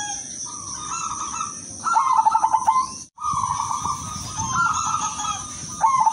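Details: Silver zebra dove with a sweet voice, used as a lure and for therapy, sings repeated phrases of level cooing tones and quick staccato rolls, with a brief silent break midway and steady high hiss.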